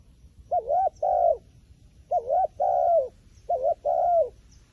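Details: Three evenly spaced double coos from a wild pigeon. A short wavy note is followed at once by a longer level coo that drops at the end, over soft low-pitched background noise.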